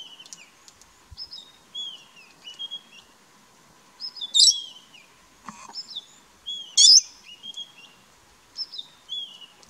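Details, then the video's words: Brown-headed parrot feeding in Kruger National Park: sharp, high whistled squeaks and downslurred shrill notes in irregular bursts, a few loud piercing screeches standing out, with faint steady background hum. "Brown-headed Parrot feeding"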